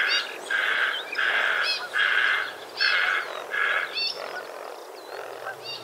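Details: White-faced heron recorded in Australia on 2 January 2019: a series of coarse, scratchy croaks roughly every 0.6 seconds, fading weaker toward the end.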